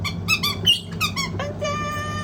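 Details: Indoor pet white-bellied caique, excited by the washing machine it loves: a rapid string of bright, harmonic chirps and squeaks ending in a drawn-out thin whistle, with machine hum beneath.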